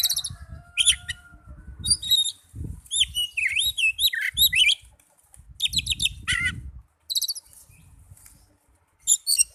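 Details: Song of an Oriental magpie-robin, played to stimulate caged birds to sing: bright high whistles, twisting warbled phrases and clustered chirps in bursts, with low thumping background noise underneath for much of the recording.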